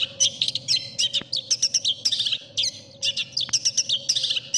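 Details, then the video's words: Long-tailed shrike training song, rich in mimicked filler phrases prized by judges: dense, scratchy chattering bursts of mixed high notes in short irregular phrases, separated by brief pauses, over a faint steady hum. "MASTERAN CENDET | suara burung cendet paling di cari juri"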